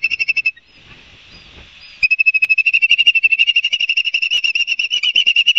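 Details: Ospreys at Barnegat Light, New Jersey, on a live nest camera, 5 September 2022 at 11:06, fast-forward speed: quick whistled chirps, a two-second break of hiss, then a long, fast, steady chirping run with harmonics.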